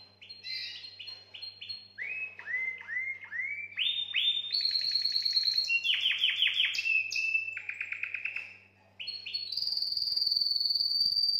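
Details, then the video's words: Canary song meant to stimulate females for mating: a long varied series of rapid repeated syllables, rising slurred notes and fast trills, ending in a sustained high whistled roll, with a faint steady electrical hum beneath. "Chant canari pour accouplement"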